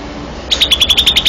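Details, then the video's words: Champion Greater Green Leafbird (cucak ijo), first place in Banten, Indonesia: after a brief pause, a run of quick, bright, upward-flicking whistled notes repeated about eight times a second, with a low steady hum behind. "vidio burung cucak ijo juara 1 banten"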